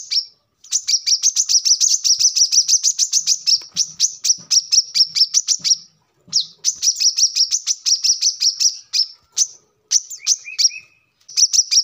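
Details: Brown-throated sunbird, recorded as a lure and training model for other birds: long, dense runs of rapid, high, buzzy twittering notes, broken by short pauses, with a few separate thin whistles near the end.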